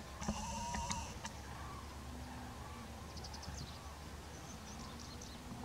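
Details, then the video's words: Common cranes flying into their night roost in Extremadura during winter; one clear trumpeting call near the start, then distant overlapping calls from the flock over steady low rumbling background noise. "Grullas entrando al dormidero"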